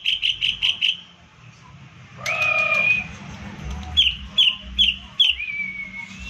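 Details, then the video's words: Green leafbird in a cage, song used to trigger other birds: quick burst of five sharp whistles, a sustained harmonic whistle, then more clipped descending notes and a trailing slurred whistle. "CUCAK IJO DIJAMIN NGAMUK DAN IKUT GACOR DENGAN PANCINGAN IJO INI/PANCINGAN TEMBAKAN CUCAK IJO"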